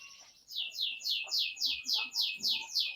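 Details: Canary song as a training lure for young canaries: a steady row of high, broad downward-slurred notes about four per second, over a faint low background hum.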